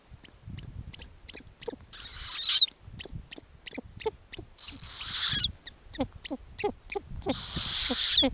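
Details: Snowy owl owlets on the nest in the Arctic, fed lemmings by their mother. Three long hissing screeches, each ending in a thin falling whistle, spaced about three seconds apart, between soft clicking pulses and low rustling.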